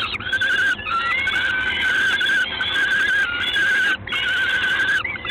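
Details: Peregrine falcon in Gdańsk on 3 June 2016 at 19:47 in the evening, giving long, harsh, wailing calls with a strained, nasal tone. The calls run almost without a break, with only a few short pauses, over a steady noisy background.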